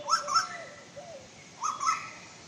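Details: Female Asian koel giving two bursts of shrill doubled notes, each pair quick and sharp, with another softer lower-pitched bird call slurring between them.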